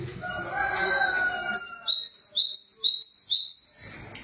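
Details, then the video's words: Java sparrow singing: soft lower tones first, then a burst of high, sharp chirps rising and dipping in a fast rhythmic chain, ending abruptly with faint background rumble. "Suara burung glatik"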